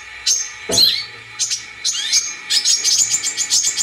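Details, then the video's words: Brown-throated sunbird lure recording: separate high, thin notes that swoop down and up, followed by a quickening series of sharp chips building into a fast, bright trill. "pancingan kolibri kelapa(KORLAP) langsung ikut bunyi"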